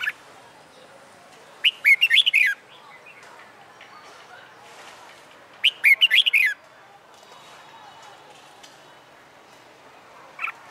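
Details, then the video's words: Red-whiskered bulbul, a caged bird being trained for fighting song, gives two bursts of rapid warbled whistles about four seconds apart, each under a second long, with quiet gaps and a faint extra note near the end. "Luyện Chào Mào Hót Đấu"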